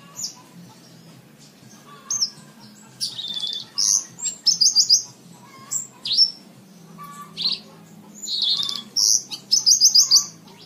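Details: Javan bush lark, a song for training caged birds: varied phrases of buzzy high trills, sharp slurred whistles and rapid chip series, delivered in bursts with brief gaps over about ten seconds.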